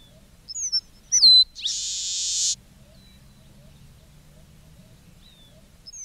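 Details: A single Red-breasted meadowlark phrase of quick high chips and a downslurred whistle followed by a dry, hissing buzz, then quiet with a faint note at the end.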